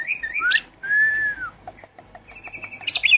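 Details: Javan pied starling song used as a lure for a caged bird gone quiet: twisting whistles, a long clear arched whistle, soft clicks, then a steady high tone ending in a scratchy burst.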